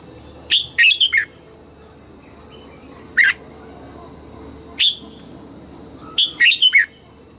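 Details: Red-whiskered bulbul in morning song during voice training, in the wild-style double-note manner: a quick tumbling phrase of bright whistled notes, single clear notes, then another rapid twisting phrase, over a steady high electrical-like tone.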